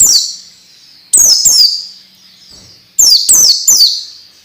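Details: Orange-headed thrush masteran, a training song for young birds: clean, high descending whistles, one, then two, then three in quick succession, with quiet gaps between groups.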